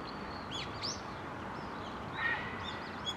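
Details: Black-faced bunting taped on a GZ-HM690 camcorder set on a tripod: a few thin, high chirps and short sliding notes in the first second, then a brief clear whistled note near two seconds, all over steady broadband hiss.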